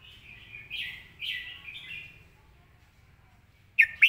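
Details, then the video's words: Red-whiskered bulbul singing with good phrasing, clear song delivery and a quick, clear voice: warbled phrases near two to four kilohertz in the first two seconds, a quiet pause, then two sharp, bright notes at the end. "สำนวนดี"เดินเพลงชัด ปากไวเสียงชัด#เสียงนกกรงหัวจุก"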